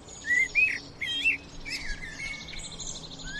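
A sparrow gives quick, bright chirps and short slurred notes around mid-pitch, while fainter high twitters from other birds run underneath.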